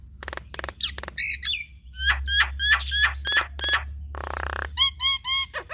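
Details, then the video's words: Male and female Javan myna duetting, showing off their repertoire: harsh buzzy bursts, then a run of repeated short whistled notes with upward flicks, a broad rasping burst, and quick bright slurred whistles, over a steady low hum. "Duet Jalak Kebo Fenomenal Jalak Kebo Jantan Dan Betina Bongkar Isian"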